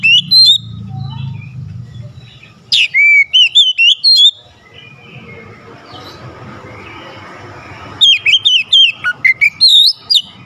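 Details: Oriental magpie-robin song used to stir up a lazy, silent bird: bursts of loud whistled, warbling phrases near the start and end, separated by a quieter stretch with low hum.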